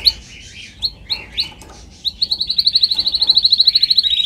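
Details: Training recording of a singing canary: scattered chirps and short warbled notes, then a fast, regular high trill of clear repeated notes that grows louder toward the end.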